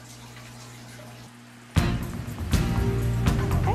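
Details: A low hum gives way to loud running water and household noise, with no clear animal voice.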